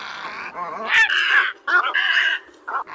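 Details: Black-billed Little egret, used as a night net-trapping lure call, gives harsh, rasping croaks in three bursts, each about half a second long and fairly low and gravelly. No other sounds stand out.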